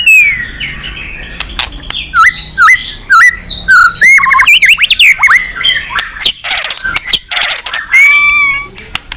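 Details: Competitive song of a white-rumped shama, excited and tail-flicking: bright slurred whistles sweeping up and down, interspersed with hard clicking 'tạch' notes and harsh rasping bursts, ending on a long clear whistle.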